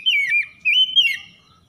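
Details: Morning-dew lure song of an oriental magpie-robin (kacer) at dawn: two smooth, wavering whistled phrases, the second rising and then trailing off softly.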